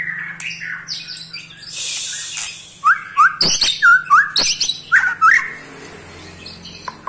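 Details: White-rumped shama, 8 months old, giving ketrekan calls said to anger other shamas: after a murky start, a run of short rising whistled notes and sharp clicks repeats roughly every half second, over a low steady hum.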